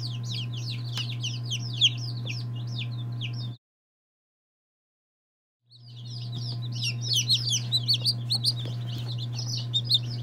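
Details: Day-old chicks of various breeds, among them Lavender Orpingtons, Marans, Silkies, Seramas, Legbars and Salmon Faverolles, give dense high peeps from several birds at once, broken by a gap of silence midway, over a steady low hum.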